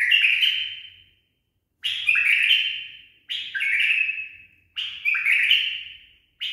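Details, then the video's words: Tame trained bulbul repeats a loud, bright whistled phrase four times, each a sharp onset then a warbling, stepped descent fading out, repeated about every one and a half seconds; faint low noise behind. "بلبل أليف تخريج صحيح"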